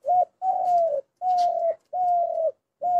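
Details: Spotted dove giving a run of steady, mellow coos, each a level tone held about half a second, with short even gaps between them. A faint hiss sits under a few notes.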